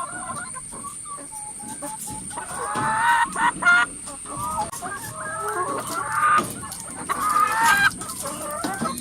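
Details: In a crowded coop of hens, soft clucks build into louder, rising squawks, with several birds calling at once. A faint steady whine continues throughout.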